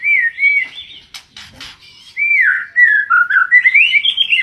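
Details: Oriental magpie-robin in full song: loud, clear whistled phrases rising and falling, a short burst of dry clicking sounds in the middle, then a run of varied fluty notes climbing in pitch.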